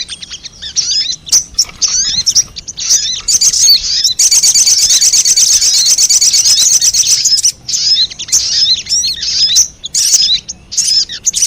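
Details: Recording played to lure wild sogon birds: scattered high chirps and slurred twitters, then a sustained fast, buzzy high trill for several seconds, returning to irregular chirp bursts.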